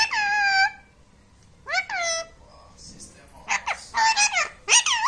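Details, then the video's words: Pet talking parrot uttering a sustained harmonic syllable, then several bent, speech-like notes and a rapid jumble of chattering sounds indoors. "Mujhe bolne do || talking parrot"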